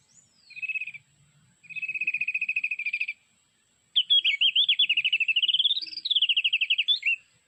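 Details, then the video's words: Sulawesi mountain white-eye played from an MP3 to lure birds to birdlime: two short buzzy trilled notes, a pause, then a long fast run of high warbling loops rising and falling. "Mikat burung pleci gunung Sulawesi"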